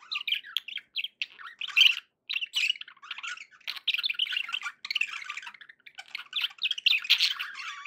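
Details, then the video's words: Pet budgies chattering in a steady run of high, scratchy chirps and squeaky notes, with brief gaps around 2 and 4.7 seconds, no other sounds. "budgie sounds to encourage your parrot to eat and sing"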